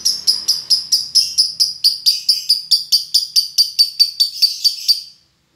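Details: Long ngekek chatter of a lovebird in a minor tone, played to coax other lovebirds into singing: a rapid series of rasping high notes, evenly spaced, about twenty in a row, then the song stops and silence follows.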